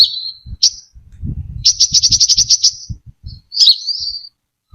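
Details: Brown-throated sunbird singing on a lure track: a thin, high whistle, a single chip, then a fast, even trill of about a dozen ticking notes and a twittering slurred phrase, with soft low thumps underneath.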